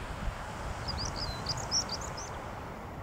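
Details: A singing European stonechat at Hengistbury Head on 21 March 2019 gives one brief, high, scratchy warble of about a dozen quick chirping notes, over a steady low rumble of wind or distant traffic.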